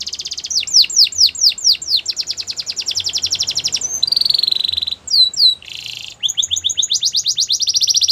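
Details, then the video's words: Belgian canary singing bright curved whistled notes in quick series, then dense rattling trills and a sustained buzzy note, with short breaks between phrases and quiet low background noise. "Melodies canary bird song | Belgian canary singing"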